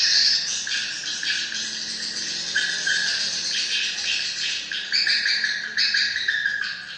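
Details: Many swiftlets twittering together, a steady wash of high, rapid chirps with brighter trilled bursts around the start and again after five seconds, fading slightly at the close.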